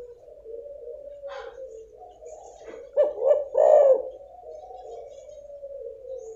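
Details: Female spotted dove sound to encourage a non-calling male; a steady low hum with a cluster of three mellow coos in the middle, quieter and slightly muffled.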